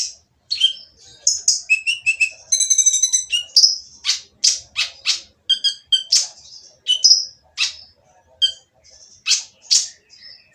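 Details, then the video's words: Harsh, noisy song of a Van Hasselt's sunbird (kolibri ninja), used to provoke other sunbirds into singing: rapid high chirps, sharp downward ticks and buzzy, rattling trills in a dense run, with brief pauses between bursts. "konin yang diam malas bunyi akan nyaut jadi gacor setelah mendengar suara konin berisik ini !!"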